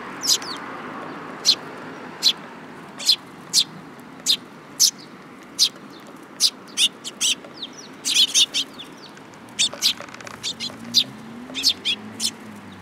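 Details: Several sparrows arriving for food at a Tenmangu shrine, 8 July 2022: bright, clipped chirps that grow busier toward the end, with some overlapping bursts and a faint low rumble beneath.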